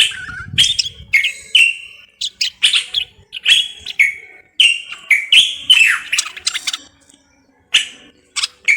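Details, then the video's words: Song of a Moroccan common bulbul: a series of rich whistled phrases with falling slurs and crisp chirps, separated by short silences, one longer pause near the end. "استرخاء مع تغريد طائر البلبل المغربي صوت صفير البلابل"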